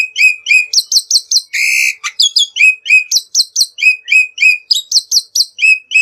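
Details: Black-winged myna song used as a lure to get birds singing: an even, rapid sequence of bright two-part chirping whistles broken once by a short harsh buzzy note.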